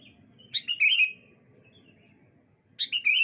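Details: Bright-morning sooty-headed bulbul exchange: a jaunty phrase of a high note dropping into gurgling, slurred whistles, a quiet gap with faint distant notes, then the same bubbly phrase again at the end.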